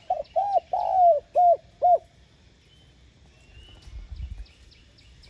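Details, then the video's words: Spotted dove calling to lure wild doves: one phrase of soft arched coos with a long falling middle note, followed by quiet background with faint high bird chirps. "Tiếng Cu Gáy Giọng hay GỌI +THÚC Dục BỔI Kích Bổi Nhanh Nổi"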